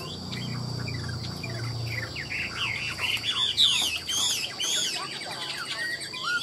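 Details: Chinese hwamei, a caged bird for sale in Vietnam, delivering a fast run of looping whistled notes that climb higher mid-phrase, with low voices at the start and a steady hum throughout.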